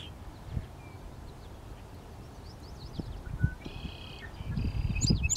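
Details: Song sparrow singing on Prairie Island, AE Wilson Park, West Regina, Saskatchewan, Canada, on 30 May 2017: scattered high chips, then two buzzy, trilled phrases near the end, over steady low rumbling wind and background noise.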